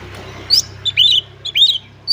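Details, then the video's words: Oriental magpie-robin (kacer) singing energetically in ngobra style while showing its repertoire of learned phrases: a few short, bright, high chirps and rising slurred whistles in quick bursts over a faint low hum. "Burung Kacer Gacor Ngobra Suara Menggila Bongkar Isian"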